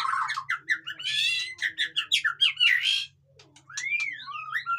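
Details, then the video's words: Captive-bird stimulation song of a white-rumped shama: a run of evenly spaced chattering notes with rasping overtones, a brief silence, then several sweeping arched whistles. "suara burung murai batu ribut cocok untuk dongkrak emosi burung yang malas bunyi"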